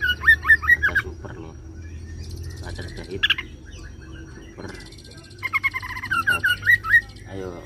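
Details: Oriental magpie-robin (kacer) singing a roll-style song mimicking cililin and serindit: clusters of rapid slurred whistled notes near the start and end, a sharp burst mid-clip, separated by quieter gaps with low background hum.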